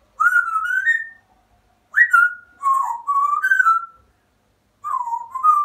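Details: Indoor pet African grey parrot whistling its copy of "Always Look on the Bright Side of Life": a long wavering whistle, a pause, a sharp rising note falling away, linked mid-pitched whistled phrases, then after a silence a dipping, rising phrase.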